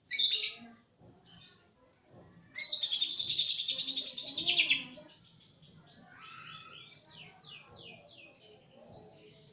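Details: East Java greater green leafbird singing cililin-style phrases: a burst of rapid chattering notes, then a long series of short high whistled pips repeated about three times a second, with faint cricket-like trilling behind.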